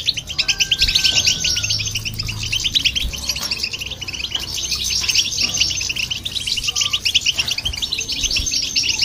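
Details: European goldfinch and a goldfinch hybrid singing to provoke other birds; sustained, busy twittering of rapid chirps and liquid trills, with a long thin whistle near the beginning and a low background hum.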